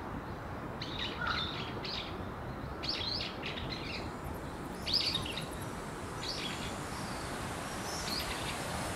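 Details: House swift colony of about 200 birds nesting on a building's rooftop eaves in Surugadai, Tokyo, occupied for many years. Shrill chattering bursts come in separated groups, with a continuous broad urban hiss beneath.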